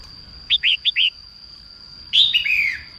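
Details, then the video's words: Four crisp upswept notes from a female red-whiskered bulbul singing in the morning to encourage males, then after a short pause a longer, richer phrase tumbling downward; a steady thin high tone runs beneath. "Chim chào mào mái hót sáng kích bổi nhanh ra giọng"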